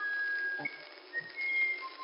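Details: Musician wren singing in the Amazon rainforest: a beautiful melodic run of long pure whistles, one steady note followed by higher and lower tones, sliding slightly, with faint low background noise.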